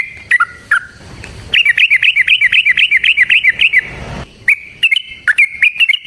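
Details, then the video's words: Yellow-vented bulbul in fast, long fighting song, used as a lure to make other bulbuls sing and get worked up. Brief chirps lead into a dense run of bubbly, rising-falling notes, then more rapid chattering after a short pause. "Suara Burung TRUCUKAN gacor TARUNG ROPEL PANJANG pancingan trucukan agar JADI trucuk gacor EMOSI"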